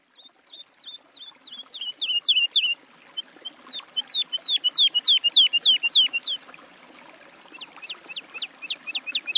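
Woodlark song: clear, liquid whistled notes repeated in quick series of three to four per second, each phrase a run of falling, fluty notes.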